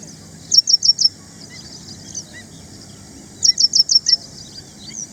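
Ashy prinia giving quick bursts of four or five sharp, high-pitched notes, each burst about three seconds apart, over a faint low background rumble.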